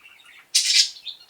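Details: A caged pet bird, possibly the excited Blueberry, one of three birds housed in separate cages, gives one loud, harsh, high chirp of about a quarter second after faint twittering.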